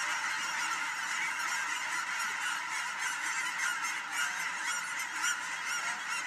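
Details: At William L Finley National Wildlife Refuge geese take off together, a crowded chorus of honks with louder individual calls rising about twice a second over the continuous flock din.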